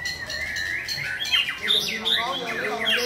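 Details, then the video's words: Rhythmic white-rumped shama song opening with a long level whistle, then fast descending slurs and crisp chirps repeated in quick succession. "Mỏ đuôi cánh đồng bộ (shama bird)"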